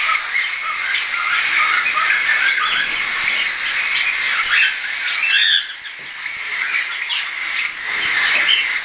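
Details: Juvenile hand-tame cockatiels, some already feeding alone, in flight on 10 September 2012; scratchy squawks and short chirps pour out steadily from several birds, with a brief quieter dip midway.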